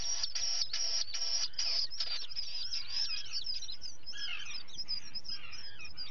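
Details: Common murre (guillemot) chick at breakfast feeding on a colony cam, 11 July 2020: thin, high, rising-and-falling whistled peeps over harsh, rasping bursts of colony calls repeated in quick succession.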